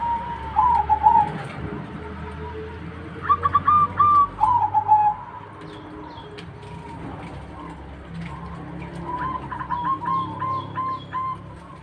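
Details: Zebra dove (perkutut) singing repeated bursts of rapid, stuttering coo notes followed by smoother drawn-out coos, three phrases with pauses between, while other birds chirp faintly in the background.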